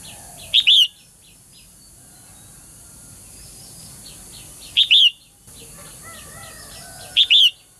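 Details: Female bird calling so that males will sing actively. A loud paired chirp, a quick note and a longer bent whistle, comes three times at irregular four-second and two-second gaps, over quieter repeated ticks from other birds.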